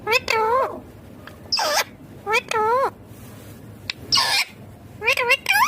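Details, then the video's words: A Rose-ringed (Indian ringneck) parakeet perched in a neem tree gives harsh, wavering squawks in short bursts, some rising and falling in pitch, about one per second, with sharper screeches between and a light background hiss. "Indian Ringneck Green Parrot Natural Sounds"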